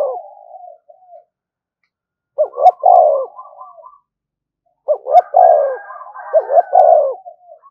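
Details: Spotted dove kept as a decoy, cooing continuously to provoke fighting. Low hollow coos come in short bursts about every two and a half seconds, separated by silence and softer chattering notes.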